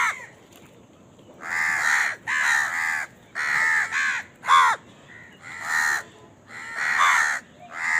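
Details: Crow calling while feeding, with a food squabble stated; loud harsh caws in bursts of about half a second, about seven in eight seconds, some doubled, over quiet background.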